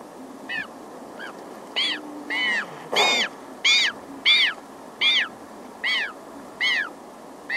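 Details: A very small Magellanic penguin chick cries near the recorder while adults hiss aggressively and the colony sounds far off. Eleven bent, downward-sliding cries come at a quick, slightly uneven rhythm, with one rough hissing burst midway.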